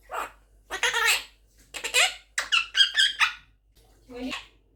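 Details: Pet Quaker parrot aged eleven months chattering indoors in rapid, nasal, word-like syllables with strong harmonics, ending in a short falling squeak.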